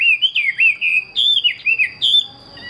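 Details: Bright, fluid whistling from a caged Chinese hwamei: smooth wavering notes linked into a continuous phrase, rising and falling in pitch, then trailing off, with a faint steady tone behind.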